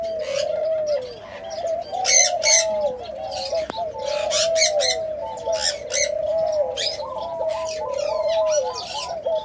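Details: Orange pearl ring-necked dove cooing, a low rolling coo repeated about every two seconds, with sharp chirps and tweets from other birds overhead.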